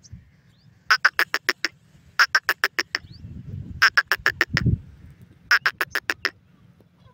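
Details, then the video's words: A francolin (teetar) gives its call: four bursts of six or seven harsh, grating notes, each about a second long and repeated every second and a half, over low rumbling noise. "teetar ke boli"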